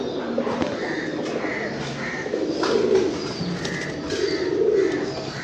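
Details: Several domestic fancy pigeons coo in swelling, rolling phrases, with intermittent short chirps and a few wing flaps in the background.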